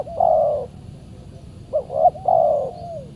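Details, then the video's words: Wild spotted dove, described as very fierce, calling back at a decoy used for trapping on a Saturday. A long mellow coo falls in pitch, then after a pause a quick three-part phrase ends in a drawn-out descending note. "PIKAT BURUNG TEKUKUR D GIMBALIN BL SUPER g4Rang"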